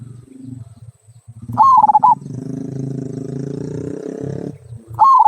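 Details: Local zebra dove giving its "kung" song, used to prompt other birds to sing: two loud, rapid bursts of staccato, throaty cooing notes about three seconds apart, the second cut short, over a low rumbling murmur.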